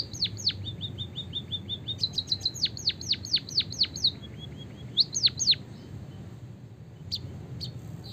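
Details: Javanese white-headed munia singing a long rolling canary-style song, played to train and stimulate other birds: sharp descending whistles and bursts of rapid high trills, with a brief pause and scattered chirps near the end.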